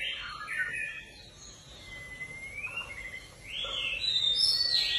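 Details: A white-rumped shama being paired for mating in a cage gives loud, varied whistled phrases, some rising and some falling, over a soft hiss of background noise.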